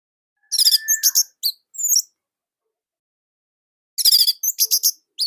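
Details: Orange-headed thrush song from Indonesia, used as a master recording to prompt other thrushes to sing; two short bursts of rapid, high, tight chirping and whistled phrases separated by silence.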